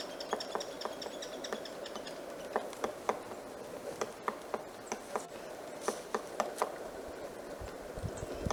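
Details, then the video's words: Pileated woodpecker tapping on a tree at Pinery Provincial Park, Ontario, on a cloudy late-January winter morning, about half an hour after sunrise: sharp, dry knocks at an uneven pace, about fifteen in eight seconds, over a steady background hum. "So I could hear him tapping and I found the pileated woodpecker, so he's up here in this tree."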